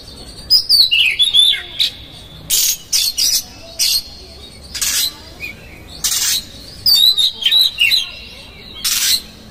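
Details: Oriental magpie-robin lure song meant to provoke rival magpie-robins, heavy with harsh fill: loud rasping bursts repeated in groups, interleaved with short thin twisting whistles.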